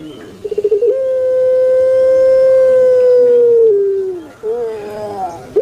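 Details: Indonesian puter pelung dove kept in captivity, long 'kwok' voice: fast stuttering pulses swell into a pure, steady hoot held about three seconds, gently falling at its close, then a softer wavering coo.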